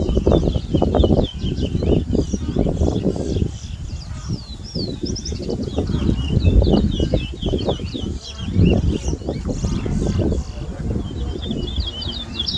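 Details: At a 2022 towa towa whistling competition in Berbice, Guyana, the seedfinch gives long strings of quick high whistled notes with brief pauses, while loud low-pitched crowd sounds and voices fill the background.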